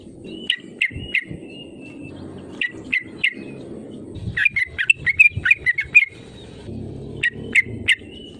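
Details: Sooty-headed bulbul used as a lure to provoke rivals into singing: short bright notes around two to four kilohertz in loose bursts, some doubled, with quick clustered series midway, over low background hum.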